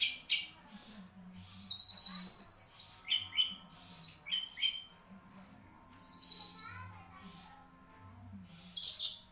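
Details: Long-tailed shrike kept as a songbird, singing drawn-out high whistled notes and short clear tones with quiet gaps, closing with a sharp burst.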